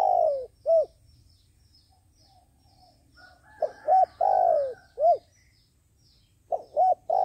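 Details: A decoy dove used in trapping repeats its soft, hollow cooing phrase three times. Each has short hoots and a long coo that drops in pitch, over a quiet low hum.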